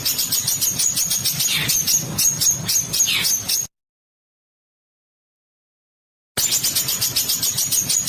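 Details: Harsh, dense bird song for training contest birds: very fast, buzzy high notes rattle for several seconds, go silent, then resume at the same rapid pace, with low rumbling underneath.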